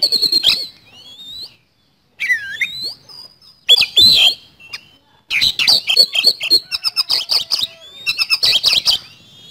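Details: Oriental magpie-robin in lively 'gacor' song, in the fast-firing 'speed roll' style used as a lure: isolated swooping whistles separated by gaps, then a quick chatter of about four notes per second with rasping trills.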